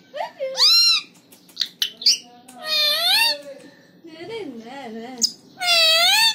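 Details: Alexandrine parakeet (Psittacula eupatria), talking.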